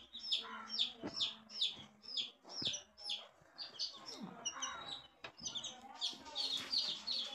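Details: A group of coloured baby chicks peeping steadily: high, shrill, downward-sliding cheeps repeated about twice a second in quick overlapping runs, with faint low rustling and occasional clicks beneath.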